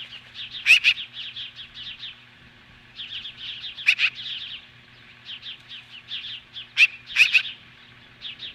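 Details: At its Lolo, Montana nest on July 15, 2015, an osprey standing off magpies keeps up long runs of shrill chirps, punctuated about every three seconds by loud harsh double bursts.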